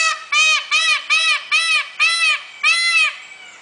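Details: Peafowl calling loudly: a run of seven harsh, nasal, arched notes, each about a quarter second long, given in quick succession with short gaps. The last note is held slightly longer before the sound fades.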